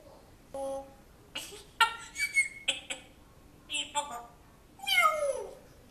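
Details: Pet African grey parrot imitating a man's voice, apparently training a dog it knew at a previous home; a string of speech-like syllables with breaks, ending in a harsh, falling squawk.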